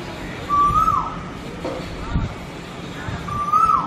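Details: Two rising whistled cuckoo notes, each ending in a short fall, separated by a few seconds of faint murmuring sounds and steady background noise.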